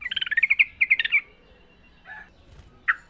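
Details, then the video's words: Wild sooty-headed bulbul in a natural setting, singing a rapid run of about a dozen bubbly, chirping notes. A short pause follows, then two softer, separate notes. "trucukan gacor ngalas full suara alam"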